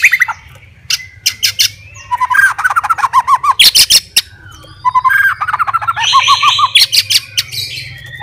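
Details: White-rumped shama, a fighter bird singing to provoke rival birds, gives clicking notes then rapid rolling trilled phrases, harsh bursts in between, repeated in two runs over a constant low hum.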